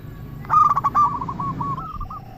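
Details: Single lure song of a local zebra dove, used to draw replies from other doves: a burst of clipped notes becoming a steady ringing coo, then softer trailing coos over low rumble.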